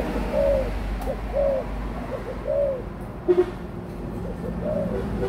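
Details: Spotted dove, adult at 18 months, cooing steadily: low, soft, slightly arched coos repeated about once a second, with a brief click near the end.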